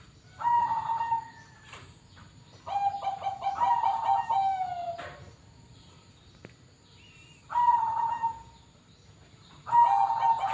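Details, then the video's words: Captive Bangkok-type zebra dove at a bird farm, cooing in separate bursts: mellow, mid-pitched coos, one phrase broken into quick stuttering notes before a drawn-out ending, repeated after pauses of a few seconds over a faint background hum. "Perkutut Bangkok"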